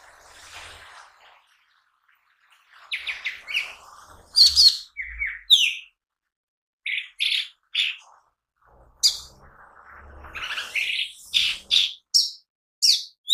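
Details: Mini green leafbird singing energetically, offered as lure and training material; clusters of high, sharp chips and whistled slurs in quick bursts, with short gaps and faint low thumps in the background.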